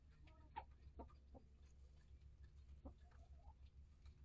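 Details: Chickens in a coop and run, mature hens mixed with chicks hatched in August 2023; soft, sparse clucks and short murmured notes at irregular intervals, partly buried in a continuous low hum.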